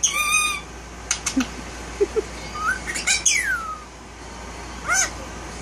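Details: Male Indian ringneck parakeet talking with a buzzy harmonic phrase, a few clicks and low chuckles, then a swooping downward squawk and a final short rising note.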